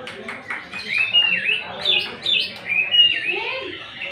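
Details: Cucak ijo, the greater green leafbird, in 'nembak' style with rough fill-ins meant to stir emotion: softer, looser whistles and slurred notes rising and falling, with short bright pure tones standing out amid a murmur of background sound.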